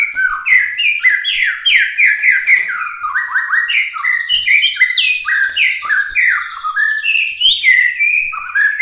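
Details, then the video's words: Bahorok murai batu, or white-rumped shama, in emotive competition song with 'tembakan' bursts: an unbroken rush of loud, sharply slurred whistles and quick descending phrases, dense and energetic throughout. "kicau prestasi full emosi suara tembakan murai batu Bahorok asli"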